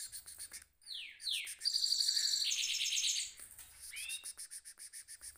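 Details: Goldfinch mule singing in its cage: downward-sweeping whistles lead into a dense, buzzy, high trill lasting over a second, followed by a short upslurred phrase over rhythmic pulsing background noise.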